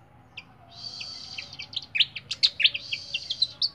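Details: A captive flycatcher sings a quick, high run of sharp chirps and short twittering notes, tumbling along with a thin sustained trill behind them.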